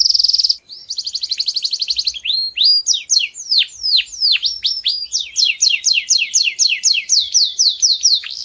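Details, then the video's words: Song of a canary, used to train young birds. It opens with a brief buzzy burst and a fast pulsed trill, then shifts to crisp, high, downward-sweeping whistles delivered about four per second in a lively, continuous stream. "yến hót để huấn luyện gà con"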